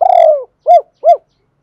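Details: Spotted dove decoy cooing for loudspeaker playback: a drawn-out, slightly buzzy falling coo followed by two evenly spaced short rounded coos, in clean silence.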